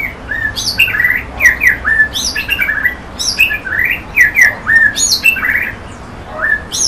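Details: Rhythmic song from a white-rumped shama: short whistled phrases, each a high sharp note followed by a lower slurred whistle, repeated steadily with brief pauses.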